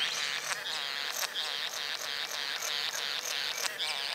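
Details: Courting satin bowerbird making a steady mechanical buzzing, a chain of harsh rasping pulses about every half second with faint clicks between them.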